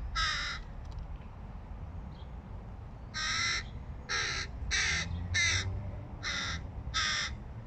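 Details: Hooded crow fledgling trying to feed itself, calling chattily: seven harsh, hoarse caws, each about half a second, in a loose irregular run with short pauses, over faint low background rumble.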